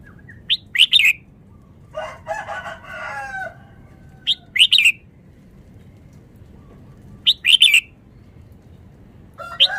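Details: Caged red-whiskered bulbul, said to be from Vietnam, singing fast: short bright chirpy phrases repeated every few seconds, with a harsher rooster-like call in between and faint background hiss.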